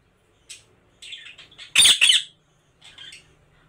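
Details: Pet Indian ringneck parakeet calling indoors at home during a talking session with its owner: a few short, high chirpy notes, then two loud, harsh, broadband squawks in quick succession, followed by softer chirps.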